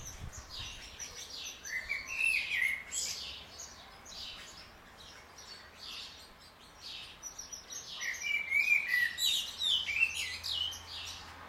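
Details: Common blackbird singing at morning wake-up in a garden, one of a pair returning for a second year to be fed there; two warbled, fluty phrases at the start and near the end, each closing in higher twittering, with a quiet low hum between.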